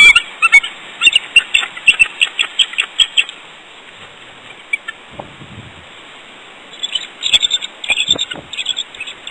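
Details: Female bald eagle at West End trumpeting from a rock at 6:41 a.m. on 29 January 2014, calling her mate to join her for pair bonding: bursts of rapid, high, staccato chattering notes, a pause, then the series resumes.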